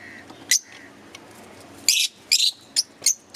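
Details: Green Fischer's lovebirds kept in a cage, chirping. Sharp, very high chirps come in a quick, irregular series, some clustered as short double notes. A soft indoor hum and a faint lower whistle sit underneath.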